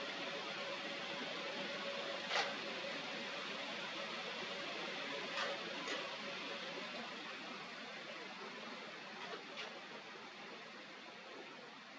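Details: Steady hiss of broadband noise with a faint low hum and a few brief clicks, with no animal voice heard.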